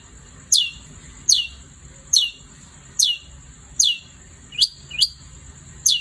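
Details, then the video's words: Long-tailed shrike singing energetically at night: sharp, high, descending notes repeated about every 0.8 seconds, one pair quickly doubled near the end, with a steady thin tone in the background. "Kicau Cendet Gacor Di Malam Hari"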